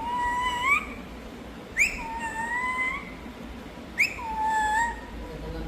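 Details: Pet parrot voicing three long whistled calls about two seconds apart. Each begins with a quick rising squeak, then levels into a held tone that bends slightly upward at the end. Steady indoor background hum.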